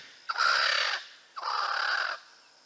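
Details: Swainson's spurfowl giving a noisy, very proud territorial call, played in a bird call quiz; two loud, harsh, grating crowing phrases, each under a second long, separated by a short pause.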